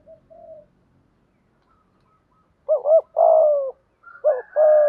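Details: Spotted dove giving the thúc gù call used to excite wild doves: a few soft low notes, a silence, then two rapid sequences of a double coo followed by a loud sustained hoot.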